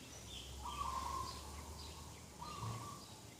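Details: Dove calling in the morning beside a garden on 2 October 2021: two drawn-out, slightly trilled mid-pitched coos, the second about 1.5 seconds after the first, with faint high chirps from other birds and low rumbling background noise.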